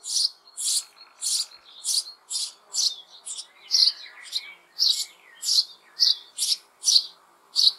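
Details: Sparrow chicks in the hollow of an old apple tree in spring, May, demanding food from their parents: high, hissing, rasping calls repeated in a steady series about twice a second, with a few thinner chirps mixed in.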